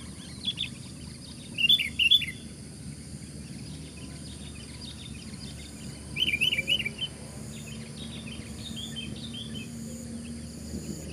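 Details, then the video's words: Sooty-headed bulbul in a loud fighting duel, one against four opponents: two short bursts of quick, bubbly rising and falling notes separated by a long gap, with steady low background noise. "Dengan suara lantang Rossi menggber lawan 4 lawan 1"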